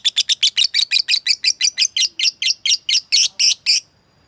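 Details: Lovebird provoking a rival with ngekek chatter: a run of about twenty harsh, raspy notes that slow slightly as they go, ending abruptly in near silence.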